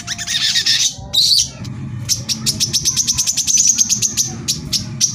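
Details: Brown-throated sunbird (kolibri kelapa), rapid 'tembakan rapat' song for provoking other sunbirds to sing: an opening rough buzzy burst, then a steady, fast train of high thin ticks lasting several seconds.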